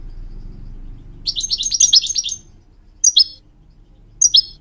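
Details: Goldfinch song used as a training recording to teach young goldfinch hybrids and canaries to sing: a rapid, dense burst of high tinkling twitters lasting about a second, then two separate short, sharp double chirps, with a soft low background hum.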